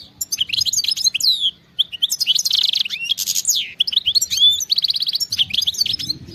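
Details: Continuous wild-style (khalawi) song of a European goldfinch: fast jumbled twitters, slurred whistles and buzzy trills, with a rapid run of repeated identical notes near the end.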